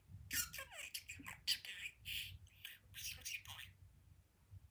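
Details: Pet budgerigar talking while perched at a window. High, squeaky, word-like phrases come in quick chattering bursts with a faint low hum behind.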